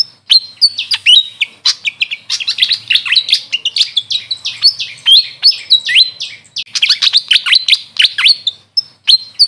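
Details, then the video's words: Grey fantail, known locally as Maria Capra, calling with dense, twittering high-pitched squeaks and quick up-and-down slurred notes, nearly continuous throughout. "Grey Fantail bird call||huni ng Maria Capra kung sa amin tawagin"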